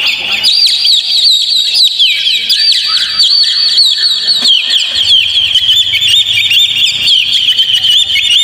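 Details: Oriental magpie-robin singing played to provoke a caged bird: sweeping high whistles and rapid chirps pour out steadily, with a faint low hum underneath during the second half.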